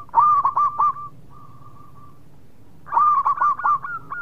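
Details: Local zebra dove gives a loud run of four rolling, hooked coos, a faint drawn-out cooing trill, then a second energetic series of five or six looping notes.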